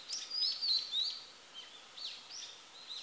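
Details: Female Blue-and-white Flycatcher singing: a few quick high whistled phrases of slurred notes in the first second, then softer scattered chirps, against a faint steady background hiss.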